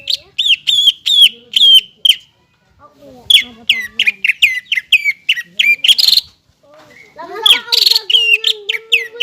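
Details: Energetic 'gacor' song of a greater green leafbird meant to spur untrained birds into singing: fast runs of clear, curling whistles in phrases, separated by short pauses, with softer lower warbling notes and one harsh burst.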